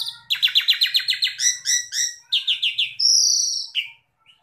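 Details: Asian pied starling (Gracupica contra), song.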